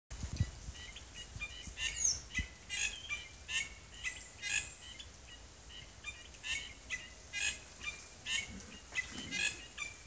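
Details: A crested drongo in Madagascar gives harsh, varied calls, repeated notes roughly every half second, mixing buzzy chatter with sharp whistled bursts over a faint rustle; both its normal call and its imitation of a cat's meow are recorded.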